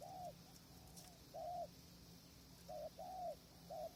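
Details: Spotted dove cooing where a decoy and tent blind are used to draw distant wild birds on a windy day; soft hollow two-part coos, brief note then drawn-out arched note, with gaps and a low rumbling background.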